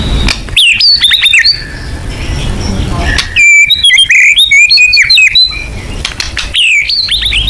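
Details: White-rumped shama song from a murai batu lure recording in 'full nembak' style: two dense bursts of varied, rapidly changing whistled and chattering notes, the second lasting about two seconds, with quieter gaps between.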